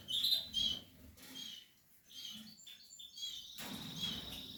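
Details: Portuguese harlequin canary building a nest, giving a loud high trill, then quieter chirps, then a renewed twittering phrase.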